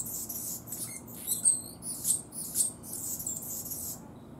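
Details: Singing Anna's hummingbird giving a run of high, dry, buzzy phrases with a few piercing squeaks near the middle, the scratchy chatter fading out at the end against faint background hiss.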